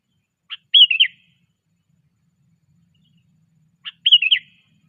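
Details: Trained sooty-headed bulbul, 'cengkram' style: a brief tick followed by a liquid, warbled whistle phrase, repeated once after a three-second pause; background otherwise silent.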